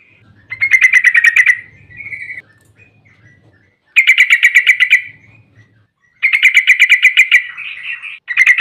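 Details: Long 'ropel' song of a Yellow-vented bulbul, used to stir other bulbuls into singing: three fast rattling trills of bright, even notes separated by pauses, with a faint low hum beneath.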